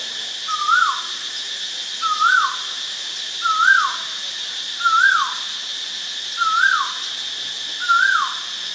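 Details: White-vented myna recorded on 8 March 2022 in Ubon Ratchathani, Thailand: six clear rising whistles that flick up then slide down, repeated about every one and a half seconds, over a continuous high-pitched insect buzz.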